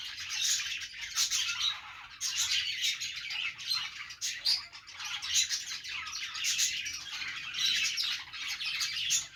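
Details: Cheerful budgerigar chatter from an Australian parrot: busy scratchy warbles and sharp chirps in uneven bursts roughly once a second, briefly dipping quieter around the middle before resuming.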